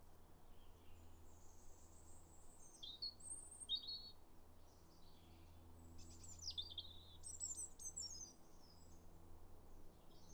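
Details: Robin marking territory with song on a January 2022 site visit to woodland paths by a farm; scattered high, sweet whistles and twittering slurs in varied short phrases, with a constant low hum in the background.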